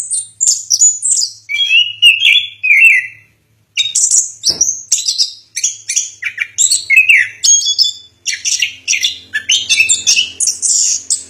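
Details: Orange-headed thrush singing a long-duration song: a rapid, varied run of high whistled and chattering phrases, some sliding lower, broken by one short pause, with a faint click midway.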